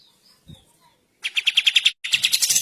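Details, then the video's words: Short passage of kapas tembak bulbul song from a songbird-training recording: a soft low thud, then two quick bursts of harsh, buzzy, rapidly repeated notes separated by a short gap. "KAPAS TEMBAK GACOR DORRRR masteran handal untuk semua burung"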